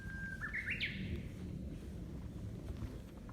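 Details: Japanese bush warbler at an observation deck with a suspension bridge on the Ibusuki Skyline, Kagoshima, in warm weather. A sustained flat whistle climbs in stepped notes to a bright, sharp ending over constant low rumbling background noise.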